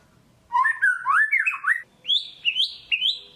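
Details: White-rumped shama song used to provoke a quiet captive bird into singing: a string of rich, rising and falling whistled slurs, then three higher clear whistled notes spaced about half a second apart.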